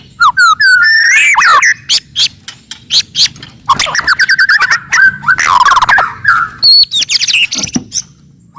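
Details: Forest white-rumped shama in very loud, aggressive song to make opponents agitated, fast whistled slurs then many sharp clicks and chattering phrases with varied clear notes.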